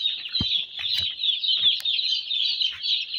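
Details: Many broiler chicks in a winter brooder, loud overlapping high-pitched cheeps forming a constant shrill chatter, with a few soft knocks and bumps.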